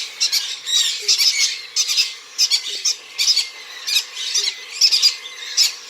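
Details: Three-week-old cockatiel chicks being hand-fed give harsh, buzzy begging squawks in rapid repeated bursts.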